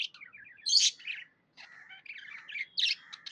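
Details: Happy budgerigar chirping: buzzy warbled chatter mixed with short rapid chirps and a few louder harsh notes, with a brief pause midway.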